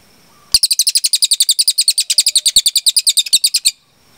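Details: Small minivet, a masteran recording meant for training cage birds, in a long, clear burst: about thirty rapid, sharp, high chirps in a steady, even series lasting some three seconds, with no other sounds.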